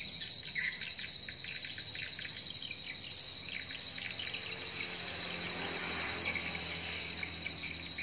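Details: Edible-nest swiftlet lure call played at a swiftlet house to draw birds in, part of a set including a special colony-splitting sound: dense, rapid twittering chirps, about four a second, over a steady thin high whine.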